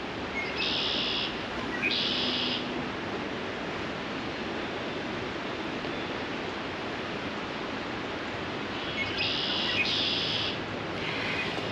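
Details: Two male Red-winged Blackbirds in spring woods in Southern Ontario, Canada, trade harsh, buzzy trilled songs, one answering right after the other, in breeding-season territorial rivalry between neighbours, over a steady hiss of wind or surf.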